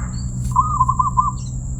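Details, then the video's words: Single bubbly cooing phrase from a zebra dove (perkutut) with a crystal-clear voice, about three quarters of a second of quick pulsed notes. A steady high whine and low hum sit behind it. "perkutut suara keristal"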